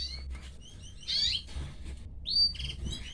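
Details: Canary chicks begging as their mother feeds them: a few sharp, high, squeaky chirps, then a loud rising squeal and a scratchy burst near the end.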